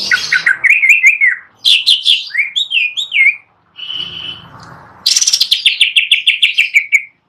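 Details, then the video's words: A greater green leafbird sings on its perch, loud varied phrases of slurred whistles and buzzy notes, then a fast string of sharp chips, with a faint hum in a short pause. "Cucak Ijo Gacor Nagen"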